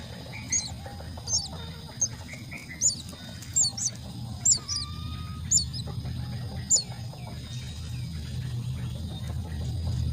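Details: Common myna chicks at the nest being fed: high, squeaky chirps repeated about every second in short bursts, with faint lower whistles and a steady low rumble beneath.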